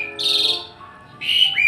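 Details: Asian pied starling in a house yard, said to be the loudest, noisiest singer there and to wake people at daybreak; two loud, rich whistled phrases separated by a short pause, over faint music.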